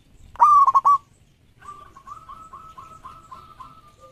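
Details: Champion local perkutut used for luring delivers one loud broken coo phrase, followed by a faint series of soft evenly spaced short notes from a more distant dove.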